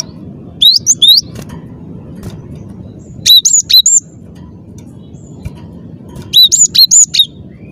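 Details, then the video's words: Cinereous tit giving three short bursts of high, clear upslurred notes, each burst of three or four notes, separated by a few seconds of quiet background hum. "ngotot suara jernih, gelatik batu gacor"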